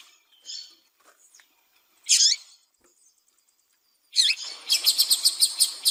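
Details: Female double-collared seedeater calling to get a male singing: isolated high chirps, then a fast rattling series of repeated high notes.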